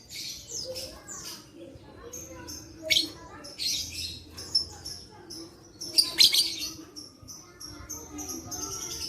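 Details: Lovebird singing, offered as playback to coax lazy lovebirds into voice; a busy run of shrill, scratchy chirps and squeaks, loudest bursts near the middle, over steady faint background hum.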